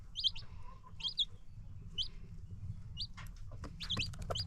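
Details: Free-range farm chickens with new baby chicks: high, thin peeps repeat about once a second, with a few sharp clicks and knocks and a low rumble beneath.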